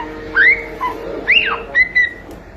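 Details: Young pet cockatiel singing indoors: a few clear whistled notes, the first two rising and sliding, then two short level whistles, over a steady low hum.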